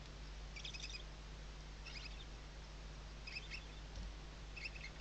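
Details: Western barn owl chicks sheltering under their mother's wings at a nest webcam in Riet Vell Nature Reserve, Ebro Delta, Tarragona, Spain, 2023 season; faint, high chittering bursts repeat about once a second over a steady low hum.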